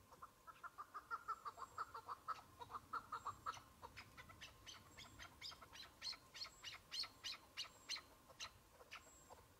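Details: Chukar partridge, a single bird during a hunt in spring among patches of snow, early in the season: rapid clucking chuk notes about three per second, swelling into louder, sharper clicking bursts in the second half.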